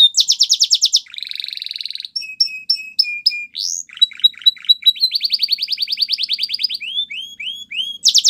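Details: Belgian canary song with rapid trills, a buzzy rolled phrase, spaced clipped pairs of notes, a fast rattling run, and several rising whistles at the end.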